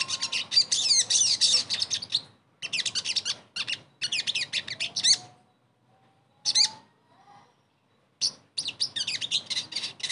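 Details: Sogon song played as a lure to restart a silent bird: bursts of sharp, high, rapidly repeated twittering with quiet gaps between them and a faint, low, rising whistle midway.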